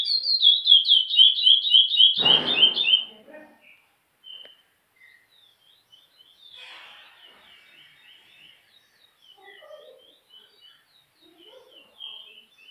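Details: Chestnut-bellied seed finch (curió) singing in the Praia Grande classic style: a loud run of rapid, rippling whistled notes for about three seconds, then a broad noisy burst and quieter scattered chirps and distant phrases.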